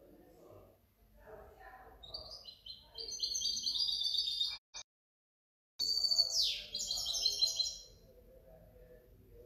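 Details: Hybrid goldfinch recorded in 2019–2020, building from soft twitters into fast high trilling song, a short gap, then a loud falling sweep followed by further rapid chirps and trills.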